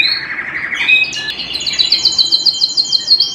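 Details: Canary singing at home: a low warbling roll slides upward into a thin whistle, then a fast run of bright, evenly repeated high notes forms a rapid chattering trill.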